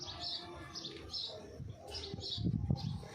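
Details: A pet Indian ringneck (rose-ringed) parakeet gives short, high, scratchy chirps about every half second, over a low background rumble with a few soft thumps.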